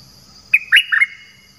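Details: A bird kept as a decoy to lure others gives a quick run of three bright chirps, the middle one loudest, then falls silent.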